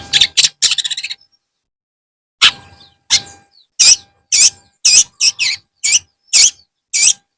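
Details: Afternoon song of a long-tailed shrike: a quick rattling chatter, a silent gap, then a series of separate harsh, grating notes about twice a second, with a faint constant background hum.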